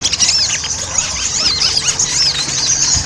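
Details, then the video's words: Ruby-cheeked sunbird, a lure recording used to make sunbirds sing readily, in a lively chattering style: dense, high, thin squeaky notes with quick arched upslurs and downslurs, overlapping almost continuously with little pause. "PANCINGAN SOGON AGAR CEPAT GACOR"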